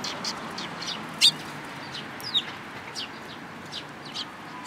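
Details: High, short chirps from a group of sparrows, one missing its tail, on Tenmangu shrine grounds, 13 April 2022. The notes are scattered irregularly, with one sharp, louder chirp near the start and softer calls around it.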